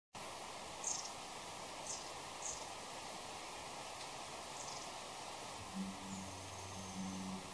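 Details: Long-tailed tit contact calls, not song: thin, very high 'si' notes at irregular intervals and one drawn-out high whistle, over steady hiss and a low engine-like hum.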